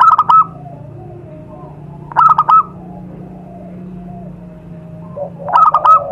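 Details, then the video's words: Wild zebra dove sound meant for luring its kind: three short stuttering coo bursts roughly every two and a half seconds, with faint cooing and a low hum between them. "suara pikat burung perkutut di alam"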